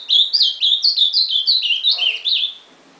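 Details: Ultramarine grosbeak singing a short phrase of about eight clear whistled notes. Each note slurs downward, and the phrase wavers slightly in pitch before fading out after two and a half seconds against a quiet background.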